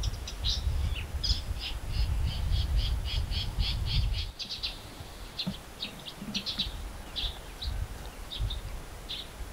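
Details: Blue-tailed bee-eater in open country by the Bued River, La Union, Philippines, on 14 November 2021, giving short, high, chirping notes in quick runs, then more scattered, over a low wind rumble that fades after a few seconds.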